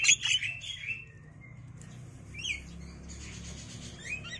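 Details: Javan myna nestlings, five days old, begging in a cage while the male and female parents take turns bringing grasshoppers and caterpillars; a loud harsh squealing burst opens, followed by fainter scratchy chirps and rising squeaks.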